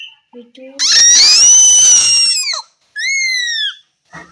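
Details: Tame ring-necked parakeet at home giving a very loud, shrill, harsh screech lasting nearly two seconds. A shorter, clearer, slightly falling shriek follows after a brief pause, with soft rustling sounds before and after.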